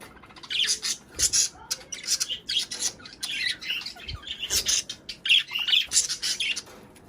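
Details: Budgerigar song used to prompt breeding and egg laying: loud bursts of squawky, buzzy warbling alternate with short pauses, bright chirps and rapid chatter from more than one bird.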